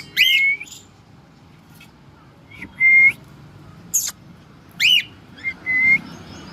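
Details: Household pet cockatiel calling with level, clear whistles, some preceded by a sharp arched screech, about four calls spread over six seconds with quiet gaps between them.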